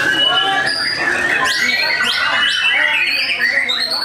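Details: Captive white-rumped shamas from a breeding farm in Tasikmalaya, Indonesia, in a contest simulation, giving loud kretekan song full of imitated material: overlapping whistled phrases, rising sweeps and harsh chattering notes, dense and continuous.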